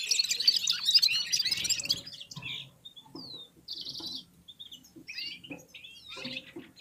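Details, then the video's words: Red-fronted serins warming up and singing in unison with other birds: high, thin chirps and twitters, a dense jumble at first, then scattered short rising and falling notes. "Попели поели и опять попели в Унисон Красношапочные вьюрки"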